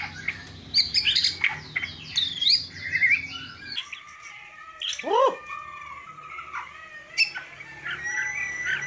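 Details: White-rumped shama singing with its characteristic bowing style and lavish inserted notes, opening with quick looping whistled figures, then a pause, a sharp swooping note and scattered high chips and warbles.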